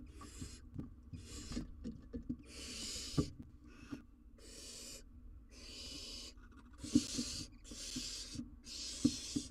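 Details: Young wild barn owl filmed by live cam while struggling with an oversized jird, giving a run of rasping hiss-screeches, roughly a second long each, repeated irregularly about every one to two seconds, with light tapping and rustling between.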